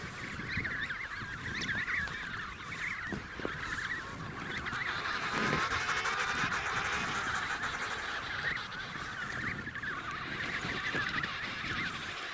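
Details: A dense emperor penguin colony chorus at Snow Hill: overlapping braying, trumpet-like calls in a steady din, with a few calls standing out above the crowd.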